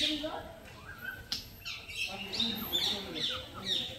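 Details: Loud natural parrot chirping: rapid, high-pitched chirps and scratchy squawks tumbling over one another several times a second, some sliding downward, with a soft low hum in the background.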